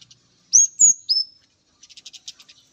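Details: Male orange-headed thrush meeting a female gives three loud, high slurred whistles in quick succession, followed by a soft rapid series of short, dry chattering notes.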